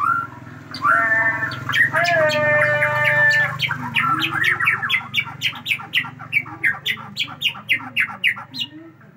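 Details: Aceh white-rumped shama unloading a super-long song fill: a few drawn-out rich whistles, then a fast, even series of sharp clipped notes repeated several times a second, over a low background drone.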